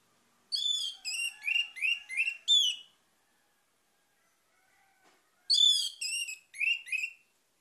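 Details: Orange-headed thrush song used to coax other birds into singing: a run of six rapid whistled notes, then silence, then a second phrase of sweet, slurred whistles.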